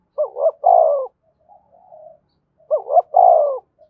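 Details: A Đồng Nai Spotted dove in Vietnam, calling to excite wild doves: two full phrases about two and a half seconds apart, each a bouncing double coo and a drawn-out descending croo, with faint soft murmurs between.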